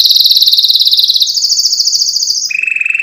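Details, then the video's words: Canary song in strong, fast rolling trills, a high sustained tour that steps upward and then drops abruptly to a lower buzzy roll, each phrase rapidly pulsed. "أقوى تغريد كناري"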